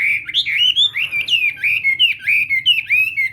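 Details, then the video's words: Chinese hwamei singing at morning voice practice for contest song: a continuous stream of bright, looping whistles, each note swooping up and then dropping, repeated several times a second with hardly a break. "Hoạ Mi Hót Đấu /hoạ mi hót sáng luyện giọng"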